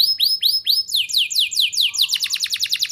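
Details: Canary lure song to encourage young canaries: looping down-curved whistles, slower slurred sweeps, then a quick bright repeated trill with a faint low hum underneath.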